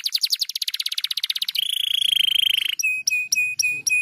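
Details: Canary song meant to stimulate other canaries into singing: a rapid rattling trill, then a steady high rolling tour, followed by clipped repeated whistles at a regular pace.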